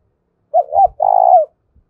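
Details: Spotted dove delivering its challenge coo, loud and resonant: two brief hoots, then a long, evenly pulsing coo that drops in pitch at the close, with soft low knocking beneath.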